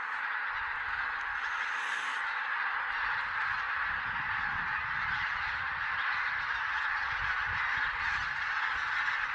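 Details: Large goose flock counted in Silesia, 11–13 November 2016, possibly mixing Barnacle, White-fronted, Greylag and Bean Geese; a dense, unbroken wall of overlapping nasal honks with no gaps, a steady clamour throughout.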